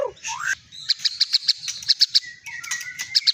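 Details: Medan long-tailed white-rumped shama, a caged contest champion, gives a swooping rising note followed by a fast series of short, clipped high chips, with a faint low rumble beneath.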